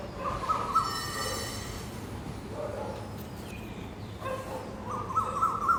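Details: Asian koel calling from a tree in a park one morning: short bursts of fast, repeated ringing notes at the start and end, with faint other bird sounds and low hum between them.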